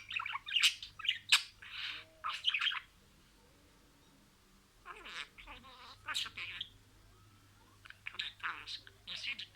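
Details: Pet budgerigar chattering imitated words in three spaced bursts of raspy, squeaky syllables separated by long quiet stretches.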